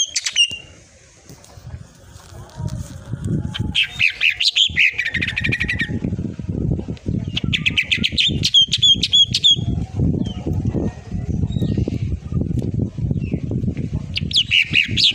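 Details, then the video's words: Greater green leafbird singing a full song in bursts of sharp, high whistles and rapid chattering trills, pausing between phrases, over a steady low rumble of background noise. "cucak ijo//full tembakan"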